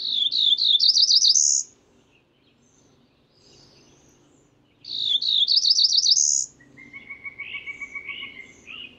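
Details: Two Cerulean warbler songs, each a fast, ascending series of buzzy notes ending in a high buzz. Near the end another bird gives a repeated ticking series of lower notes.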